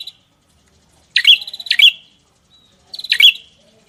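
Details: Gacor songbird from a masteran recording giving sparse, loud phrases, each a quick stutter of notes ending in a bright downslurred chirp, separated by silences.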